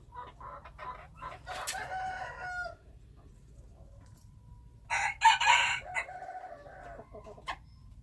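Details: Wild chickens: several clucks and a harsh crow in the first seconds, a quieter stretch, then a loud crow near the middle, with low background rumble.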